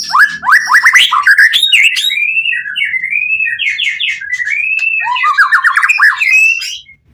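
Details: White-rumped shama pouring out fervent song to provoke neighbouring shamas: fast repeated downslurred whistles, a long wavering warbled run, then another burst of quick descending notes.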